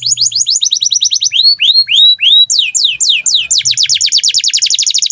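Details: Energetic Atlantic canary song used to train other birds, with rapid repeated downslurred notes, a few slower swooping whistles in the middle, then a long, quick, rattling trill to the end.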